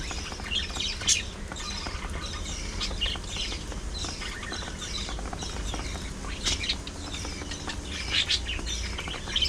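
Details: Several pet budgies squabble, groom and chatter, giving a busy run of quick high chirps and tweets through the recording, with a low background rumble.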